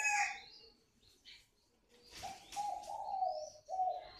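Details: A spotted dove coos its calling phrase, low and mellow with a long drawn middle note and a short closing note, over rustling noises and high thin twittering from other birds.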